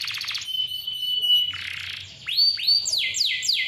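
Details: Canary in lively song, meant as a lure for young or reluctant singers: a quick trill, a pure sustained whistle, a harsh burst, then repeated upswept notes.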